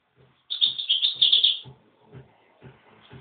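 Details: Goldfinches fighting: a fast burst of high, twittering, buzzy chatter lasting about a second, then faint chirps, with soft low thuds repeating roughly every half second underneath.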